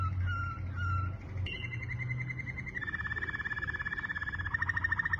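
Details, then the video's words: Yellow Waterslager canary opening with short whistled notes, then sliding into a continuous quick pulsed roll that rises in strength toward the end, over a low steady rumble. "Powerful HD Sound Canary wharf Birds Canary Wetherslager Birdscanary yollowcanary kanary birds"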